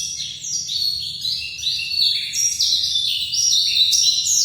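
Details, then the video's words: White-eye from Bali, known locally as pleci dakun, in loud, sustained song: fast chains of high, bright whistled notes jumping between pitches, about three phrases a second and growing louder toward the end. "kicau pleci dakun bali"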